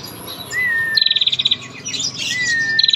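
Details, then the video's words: A lively female bar-winged prinia, used to lure males into song, gives a smooth whistled note, then a fast ticking trill. A second whistle follows, and another trill begins at the end. "prenjak gacor ngetir panjang || pancingan prenjak betina centil gacor"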